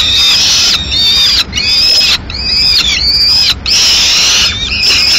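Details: Peregrine falcon nest in Madrid, female landing with the remnants of a pigeon at mid-morning; loud, insistent wailing calls, each roughly a second long, repeated steadily with short silent gaps.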